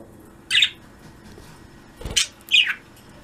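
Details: Pet budgerigar flock in an indoor cage in the afternoon, giving three short, sharp, high chirps spaced about a second or two apart, with quiet room background between them.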